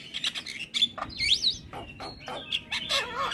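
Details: Energetic black-winged myna song recorded as a lure and master for young mynas. Chattering notes interrupted by a looping, wavering whistle and a final descending, warbled squeal.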